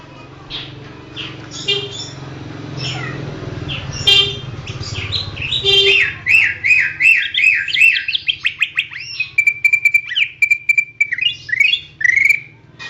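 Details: Greater green leafbird masteran song for training songbirds: low hum and faint chatter at first, then a loud rhythmic series of rapid whistled and chipping notes with steady trilled phrases.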